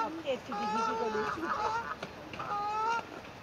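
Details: Swans with cygnets on the cygnets' first day, 9 May 2024, recorded on a phone: short nasal honking calls with bright harmonic bands, some wavering lower notes, several calls overlapping in quick succession.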